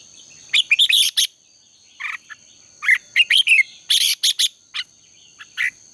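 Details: Red-whiskered bulbul contest singing for morning training: clusters of quick, bright chirped notes in short bursts separated by pauses, with a constant high-pitched hum underneath.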